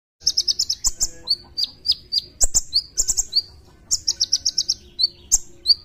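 Olive-backed Sunbird singing loud, very high, rapid bursts of sharp notes, about eight quick chips per run with thin downslurred squeaks between.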